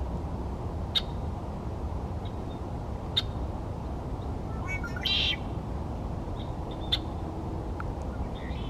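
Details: Red-winged blackbird recorded on 30 January 2024, giving sharp, short chip notes spaced about two seconds apart and one brief harsh buzzy burst midway, over a steady low rumbling background.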